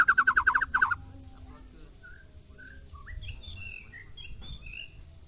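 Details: White-rumped shama, a short-tailed bird from Medan set against another, gives a burst of harsh rapid pulsed notes, then scattered clear whistled notes at varying pitches over low background noise.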